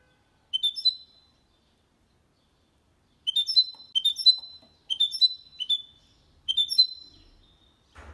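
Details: Goldfinch × canary hybrid, clean song for stimulating males and teaching young birds; short high whistled phrases of two or three notes repeated after pauses, with a faint knock at the end.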